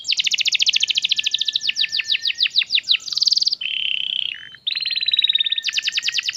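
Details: Training song for canaries, meant to get young birds chirping and singing: fast pulsed trills and descending slurred notes give way to a steady buzzy whistle, a brief break, then a drawn-out tone and renewed rapid trill.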